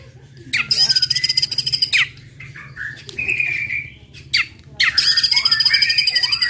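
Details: White-rumped shama song to provoke other birds, mostly harsh rapid rattling bursts with short whistled slurs between them, repeated in loud pulses.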